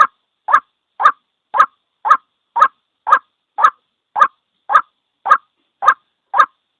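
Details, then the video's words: Lure call of one white-breasted waterhen for bird trapping: a steady train of rough, mid-pitched notes, about two each second, in a clean recording. "Suara Panggil ruak ruak tunggal | white breasted waterhans | sound call bird"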